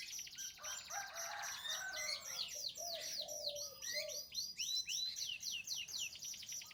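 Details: Lemon canary singing a continuous, rapid stream of high rolling trills, quick downward-sweeping notes and short buzzy phrases, fairly quiet over a low background hiss, played for canaries that have stopped singing.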